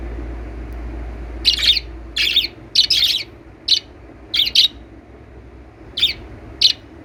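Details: Lovebird calls: shrill, high chirps in short single and doubled bursts, roughly one each second, with a quiet hum between them.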